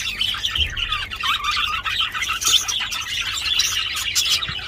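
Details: Budgerigar mating chatter, loud: rapid twittering warble with squeaky rising notes and clicks, continuous and busy, a faint low knock early on.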